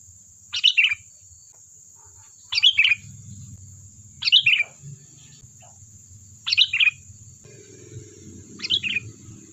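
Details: Lure recording of a lively sooty-headed bulbul: five short liquid phrases of tumbling chirps about two seconds apart, over a low rumbling background noise and a steady thin high whine.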